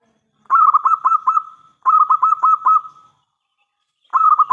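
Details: Local zebra dove in full voice, calling loudly to lure other doves into answering: two rapid bursts of five or six clipped, mellow cooing notes at an even pitch, each trailing into a short fading hum, then a third burst begins.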